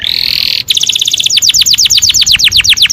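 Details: Mating song of a canary, aimed at breeders to stimulate pairing: a loud, steady high buzz, then a fast run of repeated descending whistled notes, about ten per second, rolling continuously.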